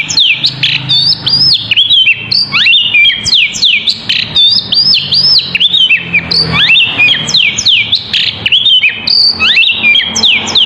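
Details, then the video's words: Poci-type oriental magpie-robin, a steadily singing bird used as a lure so others reply, delivering a long, unbroken stream of varied whistles, quick rising and falling slurs and crisp notes, barely pausing, over a faint low rumble. "Burung Poci // Kacer gacor cocok untuk pancingan"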